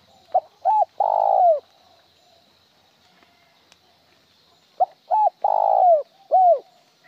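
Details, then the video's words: Spotted dove calling in a style with one broken trailing note, sometimes with one trailing note, sometimes plain. Two phrases: a short note, a quick double note, then a long falling coo. The second phrase adds a final trailing coo. Quiet pause between phrases. "Tiếng chim cu gáy gọi một hậu lỡ , lúc một hậu lúc trơn"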